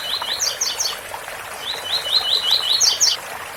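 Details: Double-collared seedeater singing the tui-tui bitola song style with a waterfall sound: repeated short, sharp chirped notes at a fast rate, some rising and some falling, sung in two bursts with a brief pause between and a steady rushing-water background.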